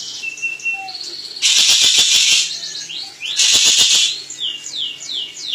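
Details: Crested jay master recording meant for bird training: two loud buzzy rattle bursts about two seconds apart, separated and followed by a run of sharp, falling squeaky notes and a faint low whistle.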